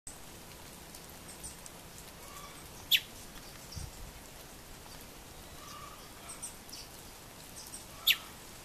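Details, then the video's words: Lost creamy-bellied thrush fledgling calling for its parents gives two sharp, high, thin calls about five seconds apart, over a steady hiss like light rain. "Filhote de sabiá poca perdido, chamando os pais"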